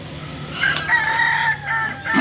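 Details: Kokok Balenggek rooster at a crowing practice in Amko, Solok city: one clear crow rising into a long, level harmonic note with slight breaks, ending in short stepped segments.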